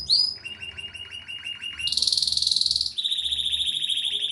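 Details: Pleasant canary song: a bright upward chirp, a steady rolling trill, a loud dense buzzy section, then a smoother high trill to the end.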